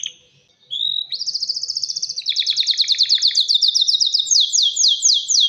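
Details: Male canary singing to attract a female for mating and nest building: after a brief pause, a long run of fast, high repeated trill notes shifting into rolling tours of sweeping whistled syllables, continuous and loud.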